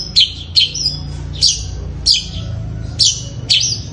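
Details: Fighting-style song of a long-tailed shrike: about six loud, rasping high chirps, some doubled, spaced irregularly about every half second to second, with steady low background noise throughout.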